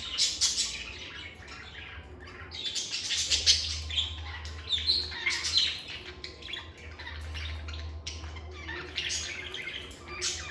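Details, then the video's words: Pet lovebirds chattering continuously in a calm setting, a busy stream of harsh, high squeaky chirps rising and falling in loudness, over a steady low hum. "Lovebird Singing & Chirping Sounds"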